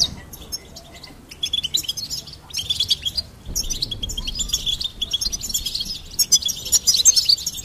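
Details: Goldfinch in full song: quick sparkling twitters, buzzy trills and clipped chirps in bursts that grow louder and denser toward the end, against a quiet background.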